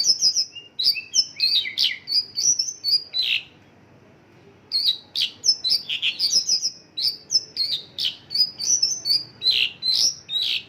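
Mongolian lark singing a fast, varied run of high whistles, trills and buzzy chirps in two long phrases split by a short pause.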